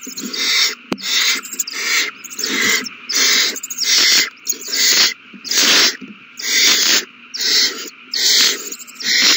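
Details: Several owl babies feeding on a large meal, 27 March 2020; around eleven loud, breathy screeching hisses in a regular beat, with one sharp click near the start.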